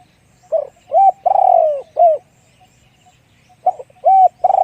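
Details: Spotted dove singing 'one-kook big voice' coo phrases: clipped lead-in notes, a round coo, a long downward-sliding coo and a short closing coo. After a pause, the next phrase begins.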